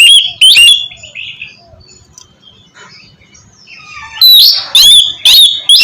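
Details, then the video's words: Oriental magpie-robin, a caged bird, in loud song meant to get a quiet bird singing: whistled phrases at the start, a quieter stretch of soft warbles, then four strong clipped whistles in quick succession. "terapi kusus untuk penggacoran burung kacer yg masih malas bunyi atau macet"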